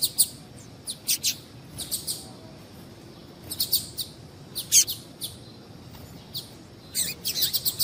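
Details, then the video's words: Female double-collared seedeater giving calls meant to excite males for singing contests: many short, high, thin chips in loose clusters over eight seconds, some notes doubled, with brief quiet gaps between groups. "Piado de Fêmea de Papa capim esquentar"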